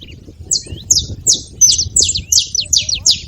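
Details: High, sharp downslurred chirps from a saffron finch at a feeding spot, starting after a brief pause and repeating roughly every third of a second, with a faint thin whistle underneath and low background rumble.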